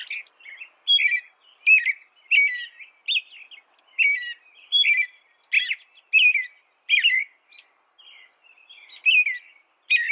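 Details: American robin singing for a cage-bird training track: clear warbled phrases repeated at a lively, slightly irregular pace, with faint high squeaks over them and a short pause near the end; no background noise.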